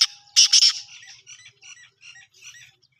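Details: Black francolin (Francolinus francolinus), call.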